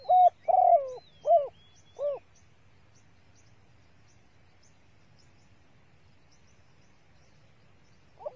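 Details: Hen spotted dove giving her male-exciting lure call: four low hollow coos in the opening two seconds, then a long quiet stretch with faint high whistles before a single coo begins at the end.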